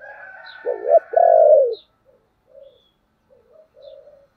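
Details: Thổ-style coo of a spotted dove, an urging or calling phrase: a clipped throaty note followed by a sustained, gently falling coo, then several soft, faint low notes trailing off into quiet.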